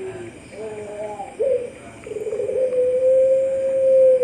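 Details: Sragen online contest, October 2021: a winning Puter Pelung dove gives wavering short coos and a brief accented note, then swells into a long, level, sustained coo that grows louder.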